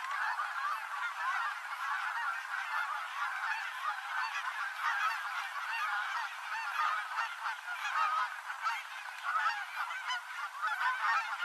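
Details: Canada geese gathering at the end of the day on the Rogue River, Oregon, spiralling down to land; a dense chorus of nasal honks from many birds overlaps continuously throughout.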